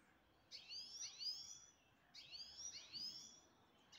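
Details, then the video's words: Two paired high descending twitters, each a quick double slurred note, from a pet grey-headed goldfinch kept in Istaravshan; quiet background between bursts. "Мой седоголовый щегол город Истаравшан"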